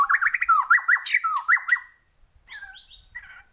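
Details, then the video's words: White-rumped shama of the Borneo type singing loudly: a fast run of rich, warbled, rising and falling whistles lasting two seconds, then a short pause and a softer, scratchier phrase. "Murai Borneo Gacor"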